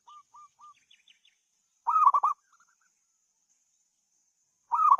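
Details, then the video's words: Zebra dove calling with three soft short coos, then two loud rolling coo phrases about three seconds apart, with faint high chirps in the background. "kemerduan suara burung perkutut"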